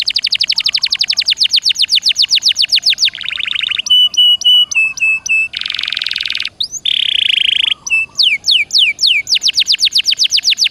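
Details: Canary (Serinus canaria) song of the gacor dor nembak type, intended to make other canaries sing again: a long rapid series of falling whistles, then buzzy rolls, ticking chip notes, a harsh trill and more fast falling notes.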